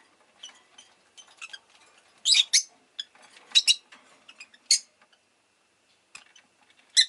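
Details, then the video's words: Rosy-faced lovebird making scattered faint ticks and several louder, sharp chirps spaced irregularly, with short quiet gaps between. "Lovebird Chirping Sounds"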